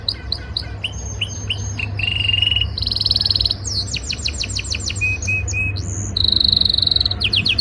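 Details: Canary in breeding season singing hard to impress a female, varied phrases: quick chirps, a low buzzy trill, fast sweeping notes, three flat short whistles, then a loud rolling trill and rising chirps, with low background hum.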